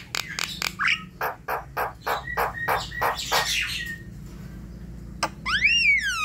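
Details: Javan myna, a night-time prompt for a quiet bird: quick harsh rasps and clicks, a slurred whistle, then after a pause a descending series of squeaky whistled notes.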